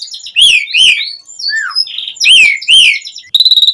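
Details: Vigorous Asian pied starling song used to make starlings respond: loud arching whistles about every half second, softer lower whistled notes between, ending in a rapid ticking series.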